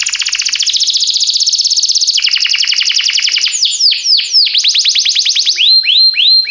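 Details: Canary song meant to train canaries: an extended fast trill that changes speed, followed by repeated looping downward-swept notes.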